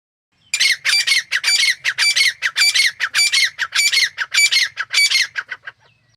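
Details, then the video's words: Female grey francolin (teetar) calling continuously: a fast, regular chain of grating squawk notes running for about five seconds, each note clipped and harsh, with a clean, quiet background. "Grey Teetar ki Awaz | Super Quality Partridge Sound | Grey Francolin all Time Best Voices"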